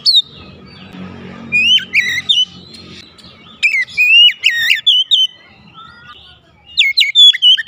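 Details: Bursts of varied, high, whistled phrases with quick slurred notes and chips, separated by pauses, from an Oriental magpie-robin song meant to get a quiet bird singing, over a low background hum.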